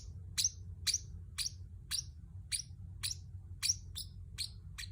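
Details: Pacific parrot chirping, meant as company for a pet bird; bright, high, sharply descending chirps repeated about twice per second, evenly spaced, over a low steady hum.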